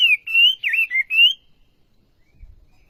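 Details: Olive-backed sunbird singing vigorously: a short run of five loud, clear, slurred whistles, wavering and rising in pitch, over about a second, then near silence with a faint low thump.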